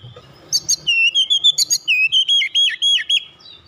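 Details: Oriental magpie-robin giving a rapid roll of a dozen clear whistled notes with dipping slurs and sharp high chirps, delivered in a tight, unbroken sequence.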